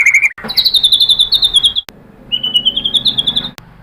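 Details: White-rumped shama lure phrases to provoke answering song: a short high trill, then two long runs of very high, fast, evenly repeated ringing notes, clean and loud.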